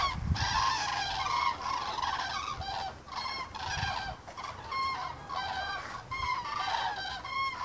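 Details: Common cranes in a migrating flock over Turin in Piedmont, Italy, giving continuous bugling, trumpet-like calls with stacked harmonics, several birds calling at once in bursts, low-pitched thumps and rumble in the background.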